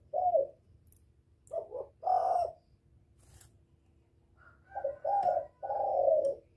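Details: Spotted dove coos used to lure a male and stir a decoy bird: quieter, hoarse two-part coos in separate bursts, with faint clicks and a low background hum.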